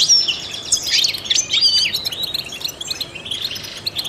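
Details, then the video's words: European goldfinch, a trained bird, opens with a loud tumble of liquid chirps and twangy slurs, then softens into rambling, quieter twitters and a faint buzzy phrase. "in the wild goldfinches chirp to stimulate songbirds"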